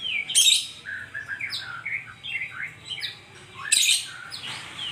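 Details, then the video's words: Rich, varied song of a white-rumped shama: fluting whistles slide up and down in quick phrases, punctuated by two loud harsh chattering bursts, near and clear with little background noise. "Terapi Burung Murai"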